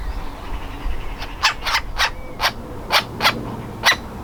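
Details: Young woodpecker in its nest hole, ready to fledge and trying hard to get out: a run of harsh, broadband calls, one roughly every third to half second, with a faint background hiss.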